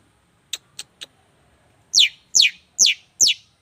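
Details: Contest-winning songbird giving three short, thin high ticks, then four loud descending slurred whistles spaced roughly half a second apart.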